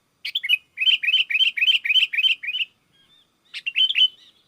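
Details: Sooty-headed bulbul in full, lively song, calling to wild bulbuls that answer back. Bubbly chirped phrases of short rising and falling notes, delivered in a quick run of about ten, a brief pause, then another short burst.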